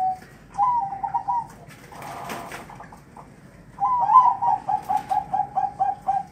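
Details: Zebra dove calling to its female: a short warbled phrase, then a rolling string of about eight quick, soft staccato coos, with a brief rustle or flutter between them.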